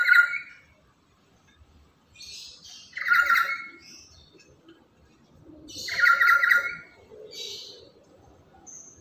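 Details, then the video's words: Quieter, rasping lory calls repeat roughly every three seconds, each a short grating burst with fainter higher overtones, from a bird said to be very loud, chatty and used as a lure for other lories. "Inilah Burung Nuri Yang Paling Cerewet Dan Lantang"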